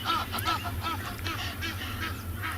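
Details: Several Egyptian geese calling in the background on a calm Wednesday morning, 12 August 2020, at a South African game reserve near a resting hippo give quick, harsh, nasal honks that overlap in a rough chorus over a steady low rumble.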